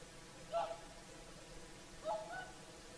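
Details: Whooper swans giving their evening song at sunset by Lake Saimaa's shore: two bugling, nasal notes about a second and a half apart, each with a brief higher harmonic, over soft ambient hiss.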